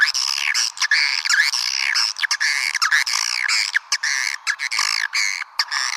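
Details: Swiftlets calling, played to lure them: harsh, nasal chirps with bending, sliding notes delivered in rapid runs, many overlapping, with brief gaps between bursts.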